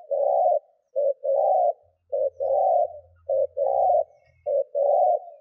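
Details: Spotted dove decoy's urging coo for luring wild doves: steady series of low paired notes, a short hoot then a longer warbling coo, roughly once a second, over a faint low hum.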